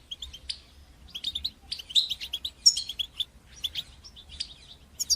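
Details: European goldfinch singing, used to stimulate and teach young goldfinches to sing: rapid twittering phrases of high chirps and trills in short bursts, with a faint low hum underneath.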